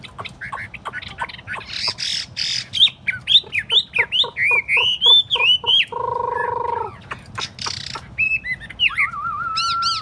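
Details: Chinese hwamei, tame and caged on a table, mixes clipped chatter with arching whistled notes, a droning nasal buzz mid-phrase, and a closing sustained whistle.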